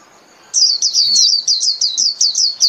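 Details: Japanese white-eye starts after a half-second of quiet into an even, rapid series of high, thin downslurred chirps, calling the flock.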